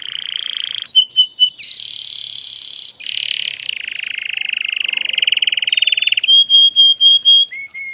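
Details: Agitated male canary in its cage singing to a female before mating, with long buzzy rolling trills shifting pitch, a few pure whistles, and a run of clear repeated whistled notes near the end.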